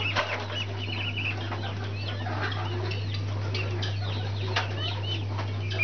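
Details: Brahma chicks cheeping, quick high chirps overlapping in a steady patter, with a burst of wing flapping near the start and a low droning hum beneath.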